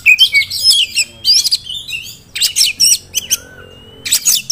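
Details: A promising contest-prospect Oriental magpie-robin singing energetic bursts of rapid, jumbled, high twittering phrases broken by short gaps. A long thin whistle runs through several of the pauses.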